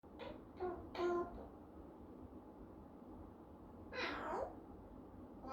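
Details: A one-year-old pet Eclectus parrot saying its first words: three or four quick, voice-like syllables, then after a pause one harsher, raspy squawk.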